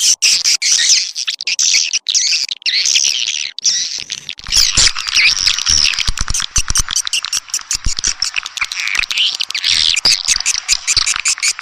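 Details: Swiftlet lure sound meant to draw swiftlets in: dense, overlapping buzzy twittering from many birds, with harsh squeaks over a constant high hiss and sharp clicking pulses running through the second half.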